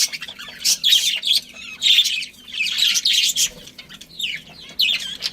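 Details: Chirping budgerigars in a colony with a breeding pair: loud bursts of scratchy warbling and squeaks, roughly every second, mixed with short rising chirps between the bursts.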